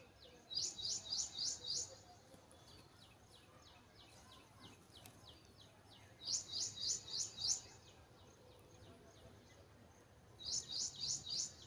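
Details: Excited nestling in a nest built inside a bike, reacting to its mother's voice. Three bouts of rapid, piercing high chirps, five or six notes each, come about every four to five seconds. Softer thin peeps repeat steadily between bouts.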